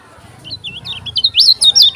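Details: Lombok kecial kuning singing hard: quiet twittering swells into a rapid string of shrill, swooping whistles during the second half, with a low hum beneath.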